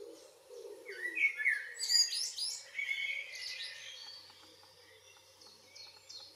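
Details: Blackbird song at dusk in June, Northwest Zealand, Denmark: loud, liquid fluted phrases with twisting slurs, ending in softer squeaky twitters, over faint distant bird calls.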